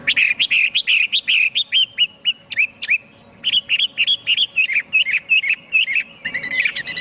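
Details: Chinese hwamei giving a lively, rapid song of choppy whistled notes, nearly continuous and tightly spaced, with one brief pause midway and a dense, rougher flourish near the end.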